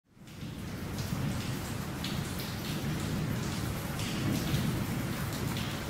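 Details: Steady heavy rain with pattering drops and a low rumble, no animal voices heard.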